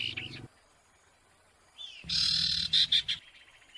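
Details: Combined recording of four sirtu birds: short high chirps, then a dense burst of bright trilled and whistled notes with sharp accents, overlaid with a low buzzing hum.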